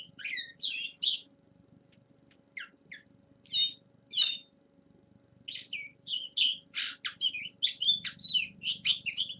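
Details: Young male linnet in winter giving spaced twittering notes and short chirps with gaps, then a quicker string of sharp notes toward the end, faint background hum.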